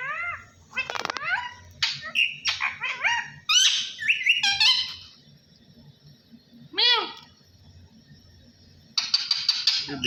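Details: Parrot talking at home, its phrase given as "Allah Hoo": quick, bending vocal syllables and squeaky chatter, clicks and rapid ticking sounds, a long quiet gap, then a final harsh, buzzy burst.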